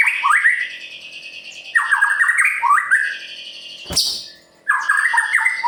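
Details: Murai batu, the white-rumped shama, singing gacor to rouse other birds into song: rapid rising whistled phrases repeated in quick runs, broken by a single sharp click and a short pause.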